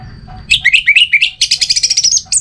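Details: Orange-headed thrush song, played to stir quiet birds into singing: a fast, varied phrase of short, high, rising and falling whistles. It ends in a dense, buzzy run of rapid notes that climbs at the close, over faint low background rumble.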